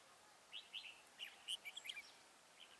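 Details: Decoy red-whiskered bulbul singing to lure wild birds into a trap, 27 November 2017: quick bright chirps and short whistled notes in an uneven burst over steady outdoor background hiss.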